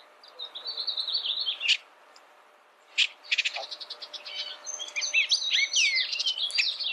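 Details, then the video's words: Bullock's oriole song: a thin, steady whistle and a sharp note, a pause, then a stuttering burst of quick clicks that runs into a lively tangle of whistled, warbling phrases. "Bullock's Oriole Bird Sound, Bird Song, Bird Call"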